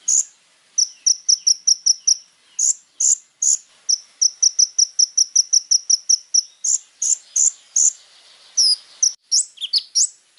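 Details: Little spiderhunter in extended rich song, used to tutor young birds: long runs of rapid high chipping notes with occasional louder accented whistles, ending in a few quick, slurred, upward-sweeping notes.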